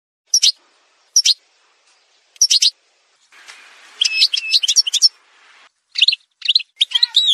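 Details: Algerian goldfinch song from a montage recording: short bright twittering bursts spaced about a second apart, then a denser run of high, buzzy, tinkling notes and trills, with no other sounds.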